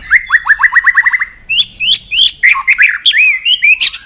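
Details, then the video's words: Stimulated white-rumped shama in fighting song: a rapid run of about ten downslurred whistled notes, then louder sharp chirps and a flowing warbled whistle with rising and falling turns. "chòe lửa đập tạch cực sung"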